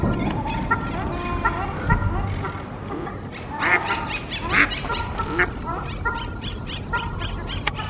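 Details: At a lagoon refuge for ducks and wild birds, Ruddy Shelducks give nasal, goose-like honks in loose overlapping bursts, mixed with quacking mallards over a steady low rumble.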